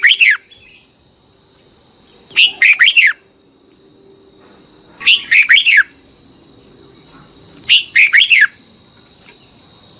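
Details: Red-whiskered bulbul tutor song from Thailand in the doubled 'เบิ้ล' style, meant to be played every morning to young birds. Identical short phrases of four fast chirpy notes repeat about every two and a half seconds over a high steady tone.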